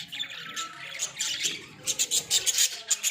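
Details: Pet Australian budgerigars kept in a small cage, giving a busy stream of short, harsh squawks and high chirps, clustered in quick bursts that grow denser in the second half.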